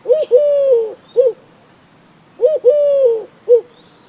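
A Eurasian collared dove gives its three-note coo, short, long, then short, soft and low. The phrase is repeated twice about two and a half seconds apart over a quiet background.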